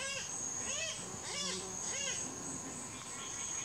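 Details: Guianan cock-of-the-rock (Rupicola rupicola) in the Brazilian Amazon giving harsh, nasal, arching squawks, three or four about half a second apart, over a steady high insect drone.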